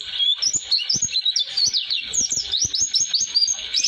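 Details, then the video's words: Oriental white-eye song in the long-duration roll style used to school young birds: a jumbled, fast high warble of squeaky chirps and slurred notes running continuously, with light knocking sounds in the background. "Kicauan Pleci Atau Si Burung Kaca Mata Roll durasi Cocok Untuk Pemasteran"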